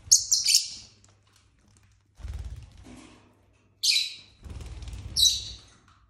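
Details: A household flock of pet lovebirds, six birds of both sexes, playing and squabbling indoors: bursts of shrill, scratchy chirps with quiet gaps, over soft thumps and rustling from movement.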